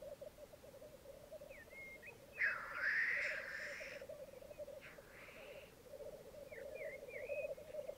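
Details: Black grouse (Lyrurus tetrix) lek on a bog in Mykland, Norway, on a May 2022 morning, with 12 males and two females present. A steady, low, dove-like bubbling chorus is broken by a loud hissing sneeze, with short chirps from other birds above.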